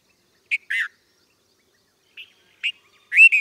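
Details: Red-vented bulbul: two chirps, the second buzzier and dropping, then a soft note, a sharp chip and a final loud, rich note that rises slightly and holds. Quiet gaps between.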